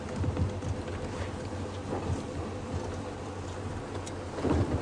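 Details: Heavy rain pours steadily while low thunder rumbles throughout, with no animal voices.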